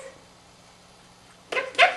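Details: Male monk parakeet kept as a pet practising favourite phrases: a quiet pause, then two short noisy, smacking kiss-like sounds.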